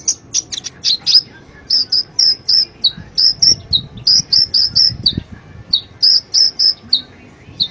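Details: Sunbird, called konin or kolibri ninja, singing for cage-bird training: a steady series of high, clipped chirps repeated about four times a second, some notes slurring downward, over a faint low background rumble.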